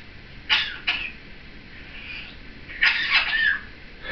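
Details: Captive seven-year-old female Timneh African grey parrot chattering with her caregiver indoors: a few short harsh bursts, then a longer run of grating, rasping chatter with a brief whistled tone near the end.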